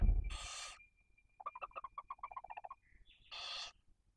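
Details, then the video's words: Barn owls at the nest in Cabañeros National Park, Spain, as prey is brought for the female and two young chicks: a loud harsh hiss, a quick run of about fifteen clipped chittering notes, then another rasping hiss. "¡CEBA PRECIOSA! y explícita 😬 - Lechuza común -"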